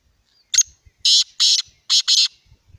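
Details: Black francolin calling: a short harsh note followed by two pairs of loud, grating, buzzy bursts delivered in quick rhythm, crisp against a quiet background.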